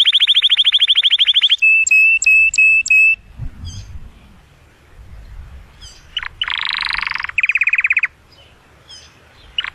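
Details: Canary singing to stimulate the female for mating: fast even trill, repeated ringing notes, a quiet gap with low background rumble, then a loud buzzy burst and short trill.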